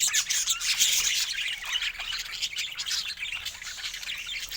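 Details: Budgerigars chattering as a group, a dense, continuous stream of high, scratchy warbles and squeaky chirps overlapping without pause.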